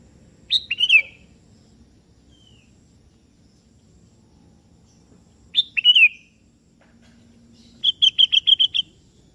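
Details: Sooty-headed bulbul (kutilang kebo) singing to a rival that joins in: two short, bright whistled phrases a few seconds apart, then a quick series of six or seven even, chirping notes.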